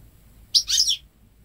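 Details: Goldfinch × canary hybrid, home-bred, hatched May 2013, ten months old, singing only goldfinch phrases; a single half-second bright twittering phrase with a quick rising then falling sweep, quiet background.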